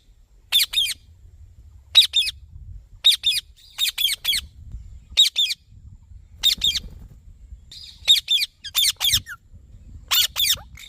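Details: Shrill, scratchy squawks from a green ringneck parrot, usually in pairs, repeated steadily with short gaps between them.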